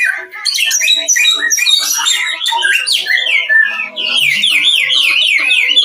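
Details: Cucak rowo (straw-headed bulbul) paired against a samyong, giving a loud bubbling warble of rapid liquid notes that turns into a rolling, wavering whistled trill in the second half.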